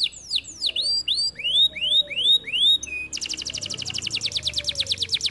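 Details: Singing canary gives a series of about eight swooping whistled notes, each rising then falling, roughly three per second, then switches abruptly to a fast rattling trill of short high notes.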